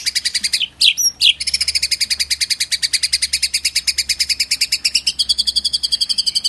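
A White-rumped shama gives a fast, even run of high, dry chirps, about seven a second, broken early by a few clear, sliding whistles.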